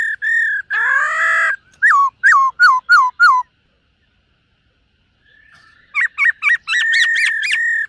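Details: Black-throated laughingthrush kept caged, singing in the morning to train its voice, dancing style. Steady whistles and a harsh rich phrase, then five quick descending notes, a pause, and a rapid burst of bright chattering notes.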